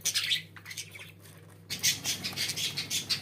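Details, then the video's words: Pet budgerigars squawking and warbling indoors in rapid scratchy bursts, briefly quieter mid-clip, then a dense stretch of chatter. "Muhabbet Kuşlarınız Bu Sese Bayılacak & Ötme Garanti"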